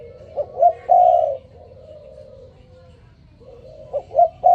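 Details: Spotted dove calling in the morning: two quick upward notes and a strong held coo, a stretch of faint low cooing, then the same clipped notes beginning again.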